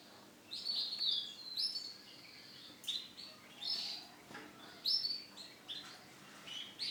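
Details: Male canary of the Starblue line singing: bursts of bright, high warbled and trilled phrases separated by short pauses, with faint background hiss.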